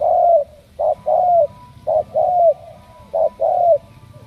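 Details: Selected 'đồng' spotted dove from Ca Mau cooing: a long low note, then three phrases, each a brief note followed by a longer coo that bends downward at the end.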